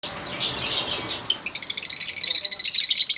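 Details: Lovebird chattering in a dense run of high, rapid chirps and squeaky notes, growing busier and more pulsed after the first second.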